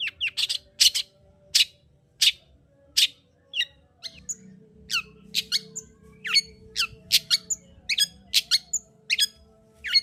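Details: Long-tailed shrike song used to raise the mood of a lazy singer: a rapid medley of harsh rasps mixed with varied twittering and hooked whistles, dense and continuous, with a low hum in the background.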